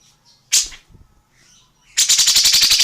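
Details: An Indonesian bird, tengkek buto or cucak jenggot, used as a song model for training other birds: a sharp explosive note and faint chirps, then a loud harsh rattle of rapid, evenly repeated buzzy pulses.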